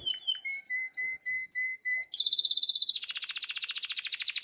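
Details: Canary in breeding condition singing to call the female: evenly spaced clear whistled notes, then a rapid high trill, then a dense, lower, buzzy roll of fast repeated syllables.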